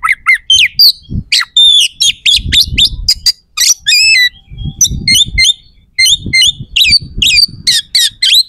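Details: Oriental magpie-robin in full song with harsh, sharp phrases, used to stir rival males into fighting before contests; dense run of sharp chips, buzzy notes and whistles, low rumble in places.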